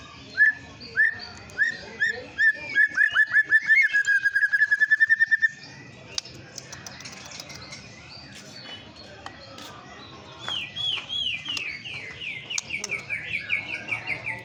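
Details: White-rumped shama song used as a lure to provoke other birds: a series of short whistled notes repeated faster and faster into a rapid run, a pause with background hiss, then a loud trill of quick sweeping notes.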